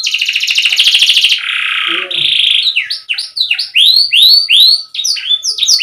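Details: Gentle, non-dominant canary song for tutoring young or non-singing canaries: a buzzy fast trill drops into a lower rolling trill, then a series of clear, bright downward-curving whistles repeated in quick succession.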